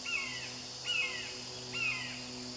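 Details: Fledged hawk being fed lizards by a parent: three thin, high, downslurred squealing cries, about one every 0.8 seconds, over steady background hum and faint insect noise.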